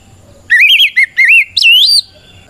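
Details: Brief phrase of a kacer's loud ngeplong fighting song, used to provoke rival Oriental magpie-robins. Wavering whistled notes run in four quick segments, ending in a long rising slur.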